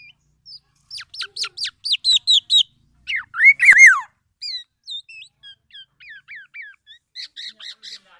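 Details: Black-naped oriole with crisp, evenly spaced chirps, a loud rising-then-falling slurred call in the middle, then softer downslurred notes and a few final sharp chips, in a quiet setting.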